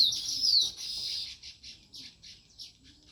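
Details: Sparrows chirping naturally in a dense run of high, bright chirps that starts loud and then thins into short separate tweets repeated about twice a second.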